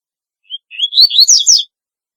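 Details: One compact phrase from a double-collared seedeater, singing in a notably distinctive way. A short thin note leads into a fast, bright run of high, slurred whistles that climbs and then drops at the end.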